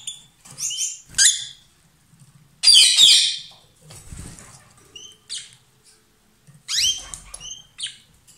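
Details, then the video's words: A lovebird pair calls loudly while kissing or exchanging food. Shrill, screechy squawks come in uneven bursts, with quieter thin chirps and short rising notes between them. "Gli inseparabili | 20minutes Love birds Sound"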